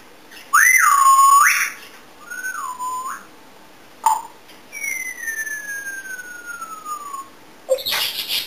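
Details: Pet African grey parrot, described as talkative and said to make many sounds, dance and sing. It gives a loud whistle that rises then dips, a shorter dipping whistle, a sharp click, a long slowly falling whistle, and ends with a harsh burst.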